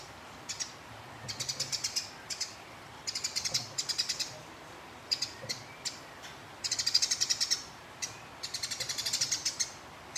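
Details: Fighting house sparrow giving rapid, harsh chattering bursts of high, scratchy chirps, in runs of about a second separated by short pauses; long chatter meant to provoke rival birds into singing.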